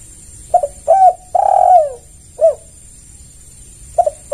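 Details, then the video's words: Low, mellow cooing of a spotted dove as a lure call: short double note, a longer coo, then a long falling drawn-out note, a separate short coo, and another phrase starting at the end. "Pancingan Tekukur Semua Pasti Merespon"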